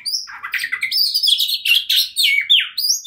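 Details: Agitated kacer (oriental magpie-robin) singing persistently as a provoking lure for rival birds: dense torrent of harsh buzzy notes mixed with clear whistles and downward-sweeping slurs, delivered rapidly and continuously.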